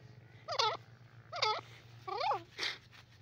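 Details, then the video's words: Grey francolin in a jungle repeating a loud, looping, nasal note about once a second, four times, above a constant low electrical hum. "jungli teetar voice,grey francolin in ajungle,gora awaz"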